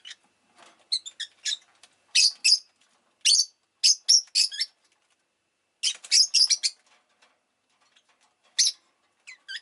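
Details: Pet Rosy-faced lovebird (Agapornis roseicollis) giving sharp, high, shrill chirps in quick irregular bursts with short pauses between clusters; city noise such as car, motorbike and bicycle sounds may be present.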